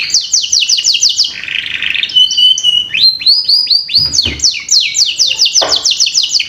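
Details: Lure recording of canary song for young birds: rapid repeated downslurred notes, a buzzy rolling section, a thin sustained whistle, then renewed fast trills of sharp descending notes.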